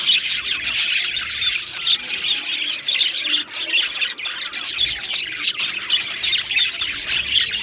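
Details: Many Australian budgies chirping together in an aviary colony, a loud unbroken tangle of scratchy squawks, high chirps and warbled twitters.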